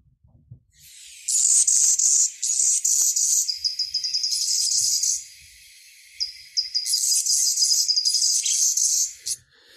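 Anna's Hummingbird singing a high, squeaky, scratchy song of buzzy phrases and rapid ticking notes, repeated in bursts with short pauses between.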